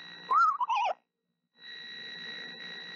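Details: Incubating female screech owl sings sweetly to her eggs, which may hatch around March 28. One wavering, quavering whistle that slides gently downward, followed by a low constant hum.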